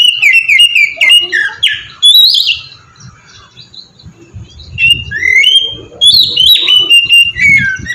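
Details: Oriental magpie-robin in ngeplong song, played as a lure to make other magpie-robins sing: repeated clear whistled notes and upward slurs in separate bursts. A quieter lull sits in the middle.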